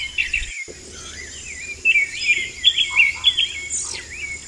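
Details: A vermilion flycatcher in the wild gives quick, high, twittering phrases of slurred up-and-down notes, with a steady thin insect hiss underneath.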